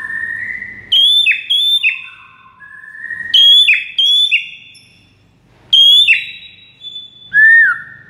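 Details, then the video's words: White-rumped shama song played as a master to trigger responses from other shamas: ringing whistled phrases mixing high level notes with falling slurs and lower mid-pitched whistles, in bursts separated by short pauses. "MURAI MANAPUN AUTO RESPON DENGAR MASTERAN MURAI BATU SATU INI"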